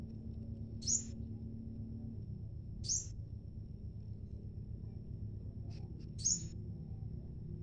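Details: Leafbird exchanging song with a scarlet minivet, giving three sharp, very high, brief whistled notes roughly two to three seconds apart against a quiet low hum and a faint steady high tone.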